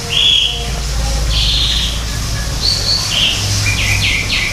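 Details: Greater green leafbird singing in an aviary, a captive setting, as the species grows scarce in the wild: clear whistled notes and short slurred phrases, some descending in steps, over a steady low rumble.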